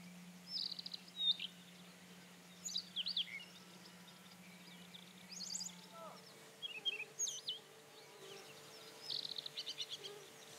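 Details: Rufous-tailed scrub robin singing: short separated phrases of clear whistles, slurred notes and quick stuttering trills, spaced a second or two apart, over a low steady hum.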